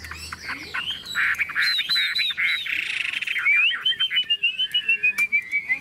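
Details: Hand-carried caged Chinese hwamei singing despite the cage being shaken: buzzy, dense chatter that flows into a long, evenly spaced series of slurred whistles gently falling in pitch.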